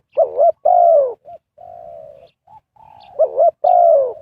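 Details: Spotted dove cooing as a trapping lure for wild birds. It gives a warbled double note and a long loud coo falling in pitch, then short soft notes and a flat drawn-out coo, before the phrase starts again.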